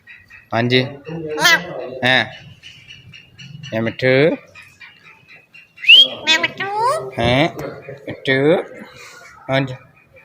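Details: Ringneck parrot kept as a pet, talking and meowing indoors; harmonic speech-like syllables and nasal rising and falling notes in short bursts, with one thin whistle, spread over about ten seconds.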